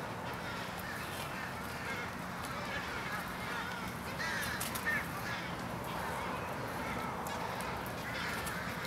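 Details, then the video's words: Many American crows gathered at a winter evening pre-roost in Charleston, Illinois, USA, 16 January 2015, cawing in a continuous hoarse babble of overlapping calls, with a low hum underneath. "American crow pre-roosting aggregation"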